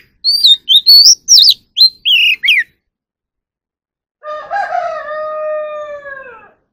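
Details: Oriental magpie-robin in song training for competitive singing: a fast run of clear high whistled notes, some rising and some falling, then a pause and a lower, drawn-out nasal tone lasting about two seconds.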